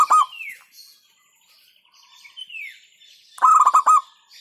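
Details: Local zebra dove giving 'hentakan'-style song: a short rolling burst of pulsed coos at the start and another near the end. A thin, descending whistle from another bird and faint chatter fill the gap between.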